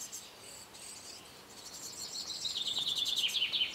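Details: At a nest box occupied by a great tit pair raising young in summer 2011, a rapid, high-pitched chattering series slides gently downward and grows louder over the last two seconds, with faint hiss behind.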